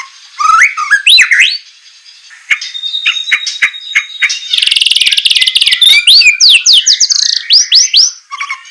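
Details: Training recording for captive white-rumped shamas, song in the semelet style with harsh shot-like notes: upslurred whistles, a long thin held note, a rattling trill and quick rising phrases.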